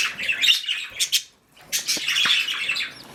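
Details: Budgerigar mother on the nest: warbling, scratchy chatter, a brief silence near the middle, then continuous buzzy twittering ending in a sharp click.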